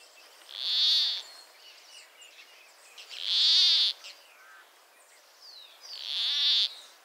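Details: Endangered Peruvian plantcutter in northern Peru calling three times, each a strong nasal buzzy croak of under a second, spaced about two and a half seconds apart, with faint bird twitters between.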